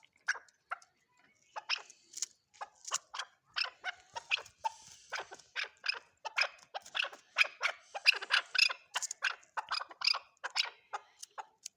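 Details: Chukar partridge calling with a long run of sharp, clipped chuck notes repeated several times a second, building into a dense, steady chatter.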